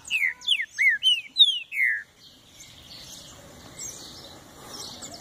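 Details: Green-winged saltator singing a short phrase of six loud, clear, downslurred whistles in quick succession, then fading into a soft background of distant chirps.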